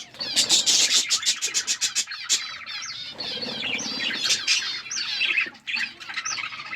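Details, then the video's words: Several budgies, described as wild, in an outdoor aviary: rapid clicking chirps in a quick run early on, then looping warbled whistles and chatter that rise and fall throughout. "Wild budgies in my outdoor aviary birds chirping sound"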